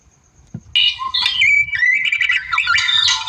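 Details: After near-silence, a wild white-rumped shama bursts into rival-provoking song: rapid varied whistles, slurred notes and scratchy chatter continuing without pause.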